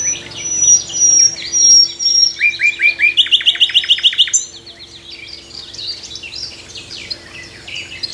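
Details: Nightingale singing in a tree in the morning: high whistled notes, then a fast run of about ten sharp repeated notes, then a tapering spell of softer varied twittering.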